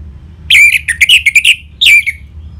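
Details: Orange-headed thrush in ngeplong style, a lure song to prompt caged birds to answer: a loud, clear whistled phrase of quick, slurred notes, then a brief pause and one more bright whistle, over a faint low hum.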